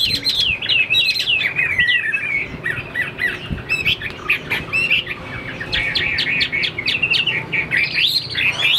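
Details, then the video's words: Caged Chinese hwamei known for fighting and wing display mixes rough squawky notes with quick whistled slurs, the song growing louder and more rapid in the closing seconds. "Họa mi số 1118 Đấu xòe chơi cánh dáng cao"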